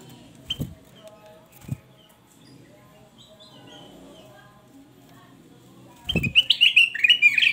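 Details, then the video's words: Male Black-capped Bulbul (golden bulbul) in full song, used as a loud training tutor; bursts into a loud run of quick, bright whistled notes near the end, after a quiet stretch broken by a few dull knocks. "Kutilang Emas Gacor Sang guru vokal volume keras"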